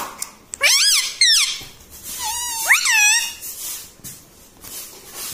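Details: Talking parrot kept as a pet indoors, said to say 'Mitthu', 'Papa' and 'Mummy'; a few clear, nasal, up-and-down syllables in two short bursts, then quieter room sounds.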